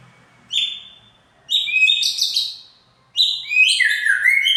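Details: White-rumped shama song played as a lure to rouse a rival: three bursts of bright whistled, slurred notes stacked with high squeaky overtones, each phrase starting abruptly and fading.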